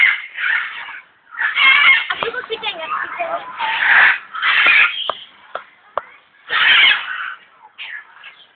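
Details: A grey parrot (Psittacus erithacus) at Alipore Zoo, Kolkata, India, gives harsh, raspy squawks and chattering bursts in uneven runs about every couple of seconds, with what sounds like human voices mixed in.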